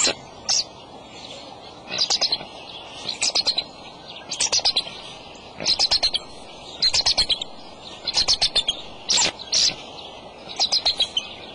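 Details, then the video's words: Male bald eagle calling at the nest with eggs, March 23 at 2:26 pm: bursts of high, thin chittering notes in quick clusters, repeated roughly every second across the recording, over steady low background hiss. "dad calling"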